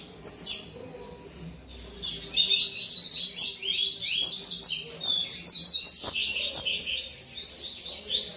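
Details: Double-collared seedeaters kept at a breeding facility in Brazil sing together, producing dense, overlapping runs of high, rapid chirps and slurred whistled notes. Faint background noise sits underneath.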